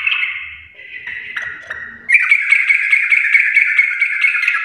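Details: Sooty-headed bulbul in full garuda-style song: a wavering buzzy tone with faint background noise, then a loud, continuous run of harsh, rhythmically pulsed notes about every quarter second.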